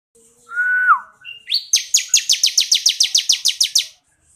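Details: Bar-winged prinia ('kristal') song for training other birds: a smooth whistled note sliding down, a brief rising note, then a quick run of roughly fourteen crisp, high, rattling notes ending abruptly.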